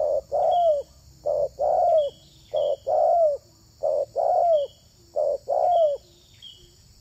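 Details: Spotted dove cooing to attract other doves, a rhythmic series of paired low notes, the second longer and sliding down, repeated about every 1.3 seconds, with thin high chirps from another bird.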